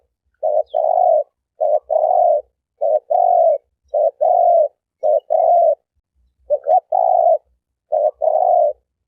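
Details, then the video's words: A lone turtle dove calls steadily in rapid paired coos, a short note then a longer mellow one, repeated about once a second for the whole stretch with no background sounds. "សំលេងលលកធ្នាក់ លលកធ្នាក់លីវ"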